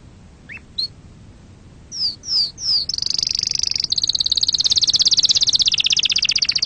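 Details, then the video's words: Canary song used to train young birds: a few scattered rising and falling chirps, then three down-slurred whistles leading into a long, rapid, high trill. "أحسن تغريد أصلي صافي و خالي من الأخطاء لتسميع فراخ الكناري"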